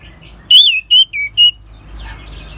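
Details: Orange-headed thrush song meant to stimulate singing in other birds: a bright swooping whistle followed by three short clear whistled notes in quick succession, then quiet.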